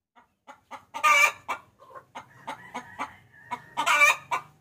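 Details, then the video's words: Lure sound of a hen summoning the rooster: soft clucks building to a loud grating squawk, then quieter clucks with a faint thin tone, and a second harsh outburst. "Suara Pikat Ayam Betina Memanggil Jantan"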